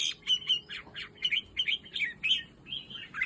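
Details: Red-whiskered bulbul kept by a breeder, singing short bright warbled phrases, some rising and some falling, in quick bursts with brief gaps; a faint steady hum runs underneath.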